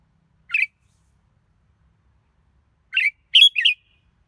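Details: Red-whiskered bulbul with brief bright chirps: a lone note, a pause of over two seconds, then a rapid run of three clipped whistled notes, with no other sounds.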